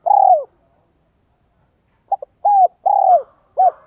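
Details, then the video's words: Decoy spotted dove luring wild doves with its giọng son 1 cốt lỡ voice; a trailing falling coo, a pause, then a full phrase of two quick notes and two drawn-out, downward-bending coos. "CHIM CU GÁY GIỌNG SON 1 CỐT LỠ KÍCH BỔI"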